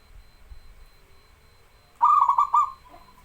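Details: Local zebra dove song used as a master recording to stimulate birds that rarely sing: after a quiet start, one loud burst of rapid, warbling coos around two seconds in, with a low hum beneath.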